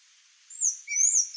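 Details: A Sayaca Tanager visiting a Brazilian backyard for fruit gives thin, high, squeaky notes, a couple of quick sibilant sweeps with a lower squeak, over faint background hiss.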